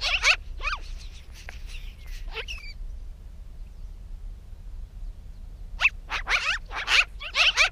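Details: Magpie chattering while coming in to land on a post outdoors: harsh, raspy bursts with sharp downward-sweeping notes, then a few seconds of quiet before another volley of rough chatter.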